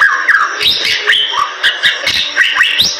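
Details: Bali myna, a medium-sized starling endemic to the western forests of Bali, Indonesia; loud, varied whistled song with rising and falling slurred notes, sharp upsweeps and short chattering bursts, about every second.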